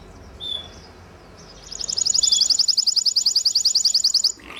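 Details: Timbrado canary delivering a quick high pulsing trill lasting about two and a half seconds after a short quiet start with a faint whistle.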